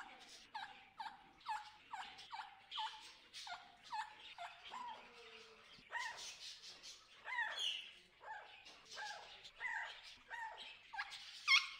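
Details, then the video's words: Hungry wild macaws in the Amazon rainforest give harsh, raucous squawks in a rapid series, about two per second, with several birds overlapping toward the end. "Macaw Parrots | with hungry Wild Macaws"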